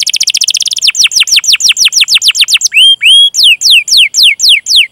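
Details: Rolling cuit-cuit canary song, used to lure canaries into singing: a very fast buzzy trill slows into steady downward-slurred whistles, then two rising whistles and more sweeping notes, crisp and without background.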